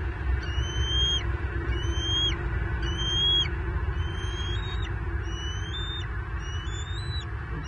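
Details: Bald eagle eaglet at a Southwest Florida nest during the adult male's fish deliveries, May 9, 2023; thin high whistled calls, each rising then dropping, repeated about every second, over steady low rumbling background noise.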